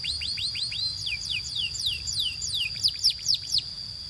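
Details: Canary singing a training song: a slower series of clear downward-sweeping whistles, roughly three per second, ending in a few louder, sharper notes. A thin sustained high tone runs underneath.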